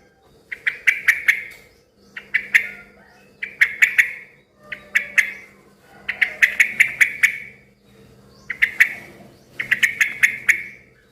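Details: Lively yellow-vented bulbul, the kind that gets other bulbuls answering noisily. Repeated bursts of clipped, ticking chirps arrive roughly every one to one and a half seconds, some longer, over a steady low hum.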